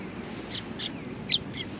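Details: Four bright, high sparrow chirps in quick succession, recorded at a Tenmangu shrine, with low ambient noise beneath.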